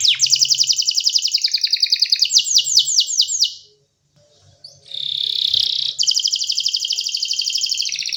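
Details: Singing canary, played so other canaries will join in: fast, bright, rattling trills that change pitch in steps, a short silence, then a harsh burst and another sustained high trill.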